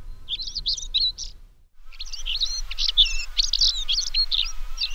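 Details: African stonechat (Saxicola torquatus) at Parque da Devesa, Vila Nova de Famalicão, gives fast, scratchy, high chattering phrases in two bursts separated by a short pause, over a low background rumble.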